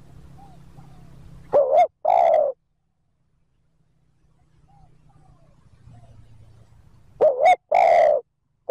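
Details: Spotted dove giving the 'thúc gù' coo to attract wild birds: a double opening note and a longer hollow coo, repeated after a quiet gap, over a low steady hum.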